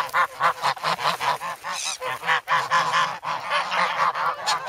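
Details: Grown geese, noisy and hungry, begging for bread in the snow at Sloterpark, Amsterdam, in February; a rhythmic run of loud nasal honks, about two a second, from a close group.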